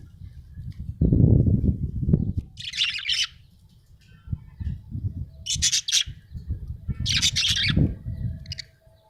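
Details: Contented budgie making three short buzzy, high chirping bursts with a brief fourth note, separated by gaps of low rumbling and a loud low thud near the start.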